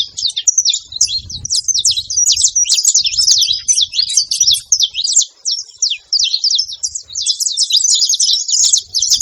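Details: A group of saffron finches at a feeder keeps up a steady stream of high, clipped chirps and rapid twitters, overlapping densely with only brief lulls.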